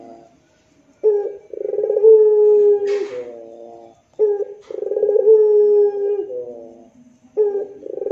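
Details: Rintihan coos of a puter pelung dove, used as masteran: repeated phrases about every three seconds, each a short hoot, a rolling trilled stretch and a long low moan, with one brief rustling hiss between phrases.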